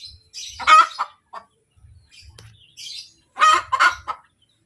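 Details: Hen giving the kotek call after an egg: a loud harsh cackle, a pause with soft clucks and thumps, then a second double burst of rasping notes.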